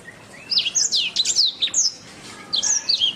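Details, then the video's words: Canary singing a training master song: quick, varied chirps and sweeping whistles strung closely together in a lively high-pitched burst, a short pause, then another cluster of rapid bright notes. "Masteran Suara Kenari"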